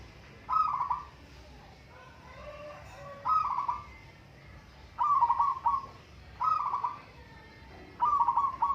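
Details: Several local zebra doves singing in a contest, overlapping rolling trilled coos repeated every one to two seconds, with faint lower notes between.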